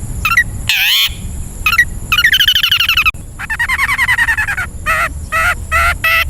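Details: Long-tailed shrike song used as a training recording for caged birds: harsh broad bursts alternate with short hooked notes, then two long rapid rattling trills of stacked notes, with a faint steady high hiss throughout.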